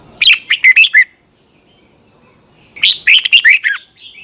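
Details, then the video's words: Red-whiskered Bulbul kept in a cage, singing a song played daily for training: two clear rapid phrases of five to six chirpy notes each, separated by about two seconds of near silence. "เพลงนกที่ดี. ฝึกหงอนเป็นเวลา 30 นาทีทุกเช้าเพื่อช่วยให้นกเรียนรู้ที่จะพูดได้อย่างรวดเร็วและเข้มข้น"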